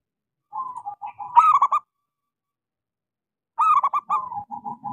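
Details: Zebra dove of a local strain singing, meant to prompt silent doves: a gentle purring coo rising into a loud run of clipped stuttered notes, repeated after a pause with the rolling coo trailing off.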